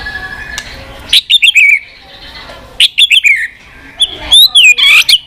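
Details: White-rumped shama singing its tạch style: three bursts of loud whistled, sweeping notes, each led by sharp clicks and falling to a clear whistle, separated by quiet pauses.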